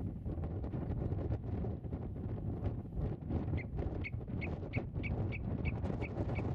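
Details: Common redshank at its nest in meadowland, filmed by a camera set 8 metres away during a nest search. Short, clear, high notes repeated about three times a second in the second half, over strong wind rumble.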